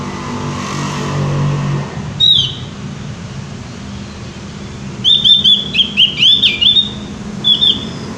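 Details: Javan white-eye singing energetically: one high thin note, then a quick series of sharp, slurred whistles in the second half, with a low droning hum underneath.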